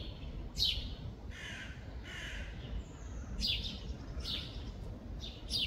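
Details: A European robin in Tivoli landscape park, Ljubljana, on 24 June 2024, sings thin, high, tumbling phrases, with a few harsher bursts between them, over a steady low rumble of distant traffic.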